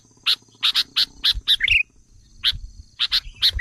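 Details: Lure call of a sooty-headed bulbul for stirring up wild birds: a run of spaced sharp chips ending in a brief bubbly flourish, then more chips after a pause, over a faint low hum.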